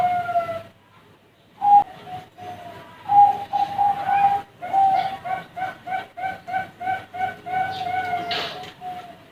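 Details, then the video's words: Young Bangkok zebra doves at a bird farm give a few scattered coos after a quiet gap. Then a lively string of quick repeated coo notes follows, and a brief harsh sound breaks in near the end. "Kumpulan Suara Perkutut Piyik Bangkok Prospek"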